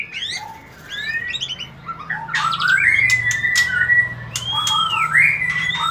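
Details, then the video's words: White-rumped shama song used to encourage mating: rapid stuttering notes, then long sweeping whistles arching up and down, with sharp clicks and harsh bursts between. "Memberikan Pancingan Murai Batu Agar Cepat Kawin"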